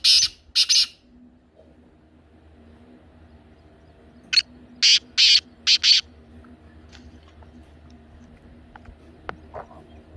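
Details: Black francolin (kala teetar) calling, played to make caged francolins start calling: two short harsh notes at the start, a long pause, then a rapid series of six grating, scratchy notes.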